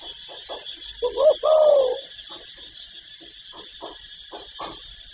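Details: Spotted dove call: a few soft muffled notes, then a brief wavering coo and a longer mellow coo, followed by scattered faint low notes.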